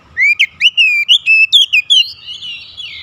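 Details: Oriental magpie-robin calling companions: about eight clear, loud whistled notes in quick sequence, rising and slurring, trailing into a softer warble.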